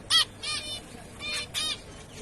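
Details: Zebra finch giving four short, nasal, trumpet-like calls with rich harmonics, spaced roughly half a second apart, with little background noise.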